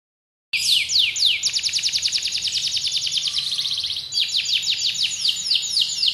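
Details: Canary song labelled serpentine: after a brief silence, fast rolling trills of high, downward-sweeping notes run in long, unbroken series, with the pace shifting between trills.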